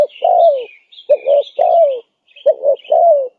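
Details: Spotted dove call used as a lure to attract wild doves: low hoarse cooing phrases, a short double coo followed by a longer falling coo, repeated, with faint higher chirps from other birds.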